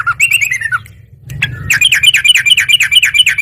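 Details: Yellow-vented bulbul singing constantly and replying immediately: a falling chattered phrase, a pause, then a loud rapid series of sharp downslurred notes over a low hum.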